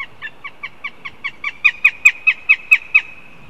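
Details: Northern goshawk chick at a nest in Riga, Latvia, on a live nest stream, begging: a run of about fifteen sharp, harmonic squealing notes, roughly four per second, growing steadily louder toward the end.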